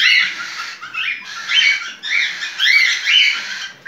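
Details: Cockatiel in breeding condition giving its mating call: loud, harsh, raspy screeches in bursts of about half a second to a second, repeated with brief gaps for four seconds.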